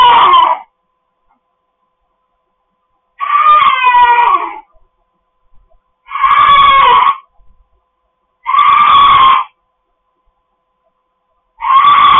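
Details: Kept pet cockatoo screaming repeatedly indoors: five harsh, grating, buzzy shrieks of about one to one and a half seconds each, spaced roughly every three seconds, with small clicks and taps in the gaps.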